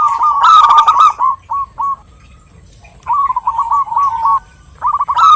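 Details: Zebra dove female, local bird, calling a male: a burst of rolling coo notes with a sharp rattle, a few isolated notes, a pause, then another fast staccato run ending in a brighter flourish.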